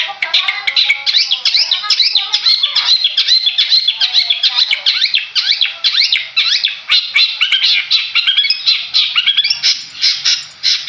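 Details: Madura long-tailed shrike, a contest bird, singing a fast, continuous medley of chattering, whistled and buzzy notes. Sharp upward and downward slurs follow one another without pause for eleven seconds, with a steady high hiss behind.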